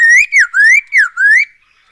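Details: Whistled song of a black-throated laughingthrush, used as a lure to get birds singing: five loud, rich notes in a row, each swooping up then down in a wavy pattern.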